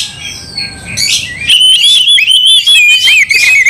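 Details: Oriental magpie-robin singing to provoke another into fighting; quiet faint notes at first, then a loud sustained chattering warble of rapid whistled trills wavering in pitch.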